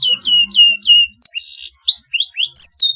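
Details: Canary singing to provoke rival birds: four repeated downslurred whistles, a buzzy warble, then quick varied chirps and rising notes.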